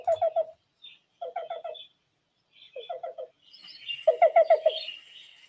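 Black-billed Cuckoo giving soft, hollow cu-cu-cu-cu phrases of three or four quick low notes, repeated about every second and a half, with faint higher chirps behind.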